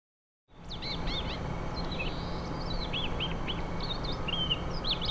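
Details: Siberian rubythroat at Wargön, Sweden, 2022, giving quick, high, twisting chirps and slurred whistles in a rapid, uneven series, over a steady low rumble of wind or distant traffic.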